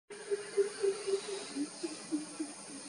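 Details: Greater coucal, also called crow pheasant, recorded at Naravi, Belthengady Taluk, coastal Karnataka, India, on 2 July 2020: a run of deep, hollow hooting notes about four per second, gently dropping in pitch, over a steady hiss.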